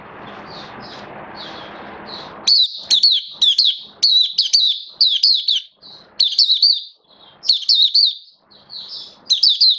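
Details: Oriental white-eye kept as a hobby songbird, build-up singing form, 19 September 2022: soft distant twitters over low hum, then loud, fast, high chirping phrases repeating nearly nonstop with short breaks.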